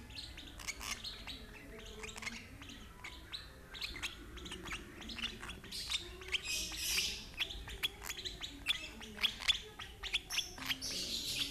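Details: Young lovebird fed by its older sibling of the same parents, giving a busy stream of shrill, high chirps and ticks that grow denser and louder toward the end over a low background hum.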